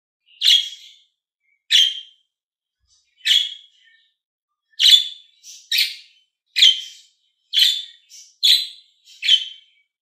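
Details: Green and blue pet budgies chirp shrilly, spaced widely at first, then faster in the second half, with small soft notes slipped between the louder calls.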